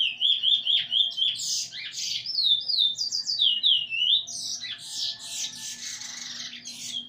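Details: Eurasian bullfinch learning its song alongside a tutor bird, recorded 13/08/2020 with the tune almost finished: clear whistled phrases that slide up and down, overlapping with a second busier, scratchier voice in the second half.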